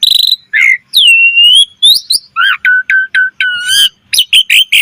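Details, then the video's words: Asian pied starling 'mompa' song with many variations: a high steady whistle, a long curved whistled note, a run of five repeated stepped whistles, and rapid sharp chirps at the close. "Suara Jalak Suren Gacor Mompa Full Variasi"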